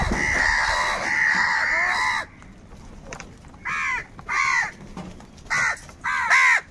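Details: Crows fighting for food, their calls described as unity and anger: a long drawn-out harsh caw lasting about two seconds, then four short hoarse caws spaced across the rest of the stretch against quiet background hiss.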